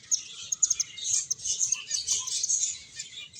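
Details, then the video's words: Group of finches chirping while playing and eating, rapid high-pitched tweets tumbling over each other at about two per second, over a quiet background. "Cute Birds Chirping Sounds | Beautiful Finches Playing and Eating"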